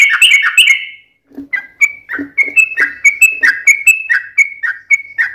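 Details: Trucukan, a sooty-headed bulbul, singing: a quick chattering start, a pause, then clear whistled notes repeated about twice a second, mixed with lower clucks.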